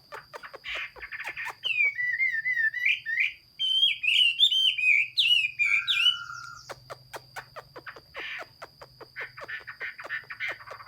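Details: Singing Chinese hwamei, 15 June 2021. Fast, twisting whistled phrases are packed into four seconds, ending on a level held note, with rapid clicking ticks before and after.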